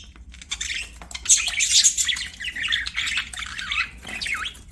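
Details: Budgerigars singing while playing: a dense, continuous warble of chirps, buzzy rasps and quick rising and falling whistles, with several birds chattering over one another and no other clear sounds.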